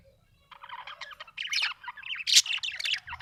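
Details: Happy budgie chattering in a continuous run of scratchy, warbling chirps with varied pitch, rising to a sharper burst midway.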